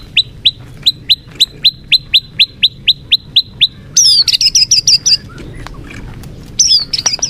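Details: Murai batu, or white-rumped shama, singing a lure song intended to make a listless bird more combative: a steady series of crisp upslurred notes about three per second, then fast, high, complex chattering phrases.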